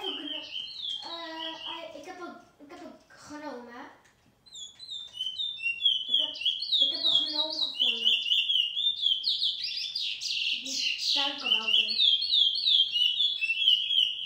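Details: A seedeater (picolet, a bullfinch-type songbird) sings a fast, high, twittering warble that runs almost unbroken, recorded in 2018. A person talks over the start and again briefly later.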